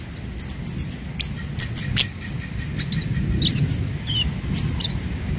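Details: Orange-headed thrush song meant for tutoring birds kept at home: a rapid string of piercing high whistles and ticks, loudest in the first two seconds, then softer scattered notes over low background noise.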